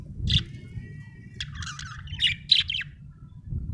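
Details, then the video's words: Budgerigar chirping: short bright chirps and a thin steady whistle, then a cluster of rapid warbled notes near the middle, with faint low rumbling background. "budgie chirping sound"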